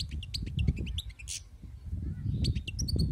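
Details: Wild-caught European goldfinch singing: a run of quick, high twittering notes and short chirps continues through the clip over loud, low background rumble.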